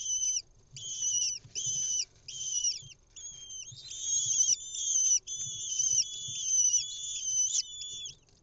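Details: Lesser kestrel chicks, about a week old, in a nest box in Israel on 6 May 2021, give shrill, wavering screeches as the mother brings an insect, running into longer continuous squeals; faint low rumble beneath.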